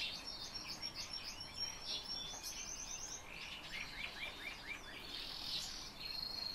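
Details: Black lark singing: a run of bright chirping and twittering notes, some sliding downward, mixed with short high whistles and a few buzzy bursts in a varied, restless phrase.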